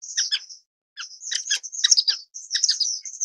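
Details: Short, squeaky, high tweets from Orange-cheeked Waxbill, Estrilda melpoda, in three quick bursts divided by brief silences.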